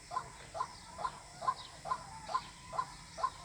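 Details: White-breasted waterhen call used to lure birds for trapping: a steady series of short, hollow mid-pitched notes, about eight in quick succession, each roughly half a second apart, over a faint background hiss.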